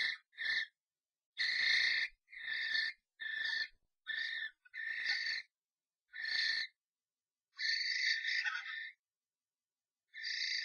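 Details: Three Common Starlings fight in a nest box after a strange starling enters the box of a pair, giving harsh, rasping screeches in short bursts about once a second, broken by brief pauses, with one longer grating note near the end.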